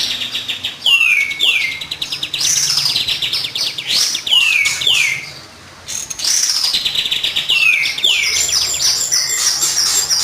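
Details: Kapas tembak song used as a lure for training birds: loud, dense chattering with repeated downward-slurred whistles, busy overlapping trills and buzzy notes, with a brief dip midway.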